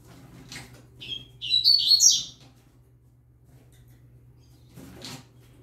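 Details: A novice yellow-bellied seedeater sings with a green-winged saltator nearby. After a short lead-in note it gives a quick, high, jumbled twittering phrase lasting about a second, followed by quiet room hum and a soft rustle.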